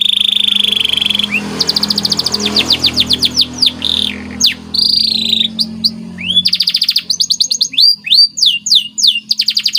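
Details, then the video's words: White canary in lively masteran song with special phrasing. A low hum opens under buzzy high notes, then fast repeated trills and downslurred whistles follow on a clean background. "CANARY Gacor Cengkok Istimewa"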